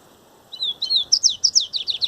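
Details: Double-collared seedeater (coleiro baiano) singing in the grego style: two slurred, descending whistled notes, then a fast run of sharp, bright chirps repeated about eight times per second, clear over quiet background hiss.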